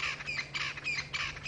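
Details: Crested francolins shouting near lions in a South African game reserve at sunset, birds that hang around the lions' kills for maggots: a loud, harsh, rhythmic chattering of repeated scratchy notes about every third of a second, with low engine hum.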